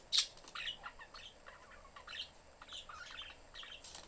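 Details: Pet budgies, parents and a youngster, in an open-doored cage during an ordinary day of play; a sharp chirp, then continuous soft warbling chatter of rising and falling notes.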